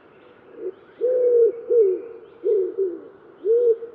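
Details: Common wood pigeon singing: low, hollow cooing notes near one pitch, a short note followed by longer stressed coos, with a faint hum in the background.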